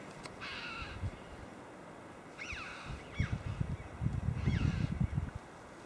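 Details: On the evening of 22 March 2012, near the Lizard Lighthouse car park, red-billed choughs flying off give three bursts of ringing, down-slurred "chee-ow" calls about two seconds apart over a steady low rumble of wind.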